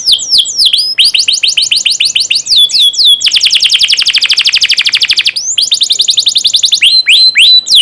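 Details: Tutor song of a canary for training young canaries: sharp downslurred whistles in quick series, then a dense buzzing trill lasting two seconds, then more repeated downswept notes and upward sweeps.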